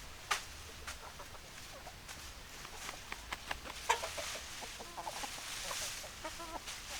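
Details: Chickens in a rural yard: a hen clucks in short, nasal, harmonic bursts, sparse at first and then bunched into quick runs toward the end, over background rustling and sharp clicks.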